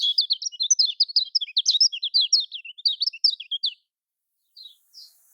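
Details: Lemon-bellied white-eye singing in the typical Lombok manner, used to coax reluctant caged birds into song: nearly four seconds of rapid, sharp, high twittering notes, followed by silence and two short chirps.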